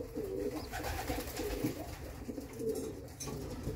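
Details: Indoors, a racing homer pigeon mother gives repeated low, rolling coos in short swelling phrases, quiet against faint room noise and occasional clicks.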